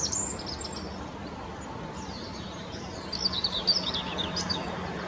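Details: Rock bunting on the Apolloweg near Valwig in Germany's Moselle valley: a quiet high note opens, then after a pause a brief burst of rapid, high, thin chirps follows, with a low background hum throughout.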